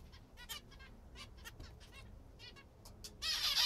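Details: Several pet zebra finches eating a favourite food give short nasal, harmonic calls in quick irregular bursts, with a loud rustling, crackling noise at the end.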